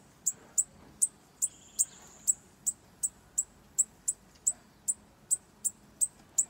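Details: Bananaquit during a campeada, a sustained, fairly regular stream of very high, pointed ticking notes, about two or three per second, with a short thin whistle early on.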